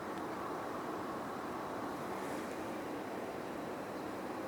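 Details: Steady broadband rushing noise like wind or a distant engine, with no animal calls.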